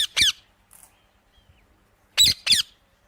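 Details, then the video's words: Indian ringneck parakeet giving two pairs of short, harsh, raspy squawks, the first pair at the start and the second after a silent gap of nearly two seconds. "Amazing Parrot Chirping Sounds"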